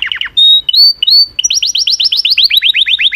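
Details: A canary sings a short phrase: a few quick falling notes, drawn-out level whistles, then a steady train of rapid arching notes repeated about six times a second.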